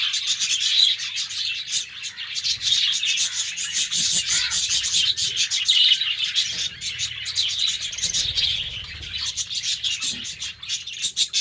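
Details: A cage of pet budgerigars in the morning, many birds chattering at once: a dense, continuous stream of high scratchy warbles and chirps with no pauses, rising and falling in loudness.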